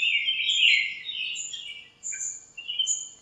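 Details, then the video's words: Several birds in a backyard lemon tree on a cool, sunny morning, chirping as they squabble; a bright, dense twittering burst followed by short, high, sharp chirps overlapping one another. "chirps at morning | backyard bird sounds"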